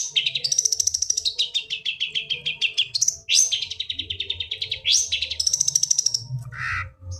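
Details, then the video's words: Long-tailed shrike song played to help silent songbirds sing again: long runs of fast repeated chattering notes switching between high and middle pitch, with abrupt upward whistles, over low background hum. "cendet gacor"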